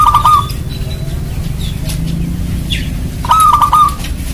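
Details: Local perkutut, the zebra dove, a frequent singer, used to prompt other doves to call. Two quick rolling coo phrases of tightly beaded notes, one at the start and one near the end, with a low background hum.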